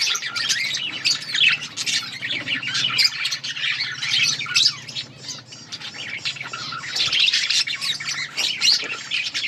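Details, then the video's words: Many budgerigars in a breeding colony chirping together: a dense, continuous chatter of high, scratchy twitters and squawks overlapping throughout, with a faint low hum underneath. "Budgies parrot chirping sounds budgies birds enjoying in budgies colony"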